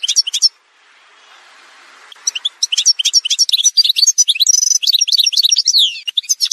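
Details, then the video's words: Algerian goldfinch montage song: a brief chirp burst, a soft hissing interval, then sustained rapid twittering mixed with short buzzy trills and sliding notes. "chant chardonneret montage"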